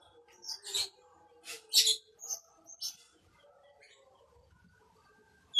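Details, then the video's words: Bimoli bird used as a lure for training other birds, giving short bursts of high, scratchy chirps in brief clusters with quiet gaps between them. "SIULAN BIMOLI UNTUK PANCINGAN BURUNG"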